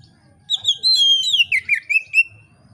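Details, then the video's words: Oriental magpie-robin in clear, open song, meant to start other magpie-robins singing: a flowing, gradually descending string of pure whistles and quick chirps lasting about two seconds. "kacer gacor ngeplong santai, sangat cocok memancing kacer lain bunyi dan gacor"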